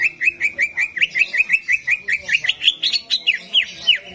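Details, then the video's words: Competition-arena simulation of greater green leafbird song, played to rouse birds that are slow to sing: a fast, regular run of short upslurred whistles, roughly four per second, over a faint steady hum. "SIMULASI DI ARENA LOMBA CUCAK IJO || untuk menaikan emosi cucak ijo yang susah on"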